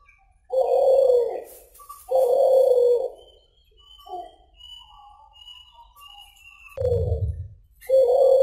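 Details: Energetic cooing from a suhu (kulhu) pigeon: long, low, rough coo notes, two in quick succession, then a pause filled with soft distant bird twitters, then two more coos, one carrying a low thud.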